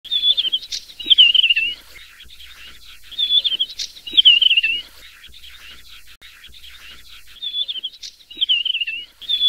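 A Desert wheatear gives short, high, warbled phrases that dip slightly in pitch, each with a sharp tick, repeated every few seconds over quiet background.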